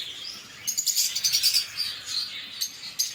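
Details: Lovebird chirps: quiet opening, then a cluster of bright high squeaky notes around the middle and a few sharp single chirps after.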